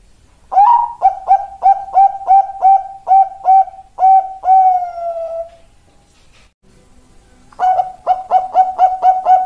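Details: Bangkok-type zebra dove (perkutut) gives a long phrase of about nine rapid coos ending in a stretched falling note, a short pause, then a fresh burst of quick coos.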